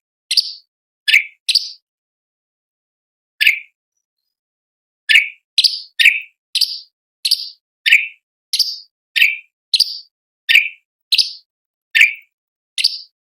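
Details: Sooty-headed bulbul song used as a tutor recording for training competition birds: sharp, piercing notes sweeping downward, repeated about every half second in a steady series after an opening pause, on a silent background.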